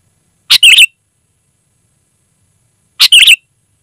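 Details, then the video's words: Sooty-headed bulbul, loud and clear, for luring wild bulbuls: two short phrases about two and a half seconds apart, each a sharp note followed by a quick bubbling triplet. "Suara Burung Kutilang Gacor, Asli tanpa isian, Lantang dan Jernih Ampuh untuk Suara Panggilan"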